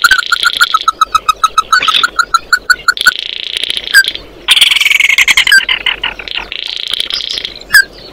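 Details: Oriental white-eye calling the flock: runs of short, evenly spaced clear notes, several quick buzzy chattering bursts in between, and a final scatter of single notes.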